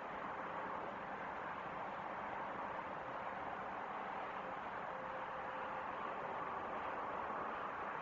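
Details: Steady broadband traffic hum fills the whole stretch, with no animal voice standing out.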